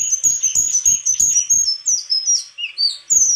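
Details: High, bright song of a white-throated flycatcher, with quick repeated chirps and thin whistled notes that slur downward, given in steady back-to-back phrases.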